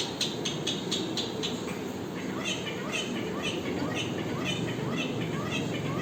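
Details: Parrot calling in a short, fast series of chirps, each a rising then falling harmonic note, about two per second, over steady low background hiss.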